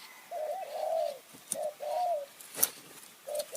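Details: Spotted dove in high forest near Kanchanaburi, Thailand, calling during decoy luring in ku-ang and nun-ang styles. Mellow coos in three phrases, each a short note followed by a longer drawn-out one, with sharp clicks between them.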